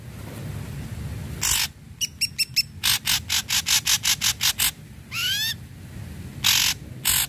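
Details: Ashy drongo in energetic song, used to stimulate other drongos to sing: a run of short harsh, buzzy bursts repeated rapidly, with a rising whistled sweep and a few thin high notes, over low background rumble.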